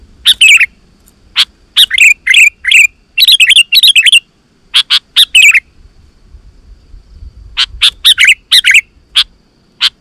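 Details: Energetic song of a sooty-headed bulbul meant to provoke other bulbuls to answer: bursts of sharp, rapid chirping notes in uneven groups, a quiet gap midway, then more scattered chirps.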